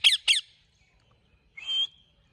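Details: Pet rose-ringed parakeet: two short harsh squawks in quick succession, then after a pause a brief rising whistled note, in a quiet indoor setting.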